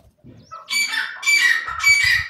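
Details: A francolin (wild or Dakhni teetar) recorded at home gives three loud, harsh, grating bursts in quick succession, each rich and raspy, over low thumps that may be handling or wingbeats.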